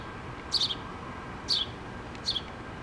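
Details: Wild house sparrows, a mother with two babies in a nest inside a pole, dated 8-3-2017: three short, high, downward chirps spaced under a second apart over a steady low hum.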